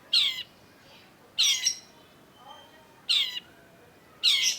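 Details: Long-tailed shrike (cendet), in a lure recording for shrikes that have stopped singing: four loud, rasping squawks roughly every second and a half, each a coarse buzzy burst, with a quiet background.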